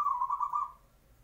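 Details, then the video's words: Zebra dove singing in the morning to prompt other doves to answer: one rolling, trilled coo phrase of about a second, steady in pitch, then fading out. "PANCINGAN SUARA PERKUTUT,WAKTU PAGI HARI,BIKIN YANG LAIN NYAUT"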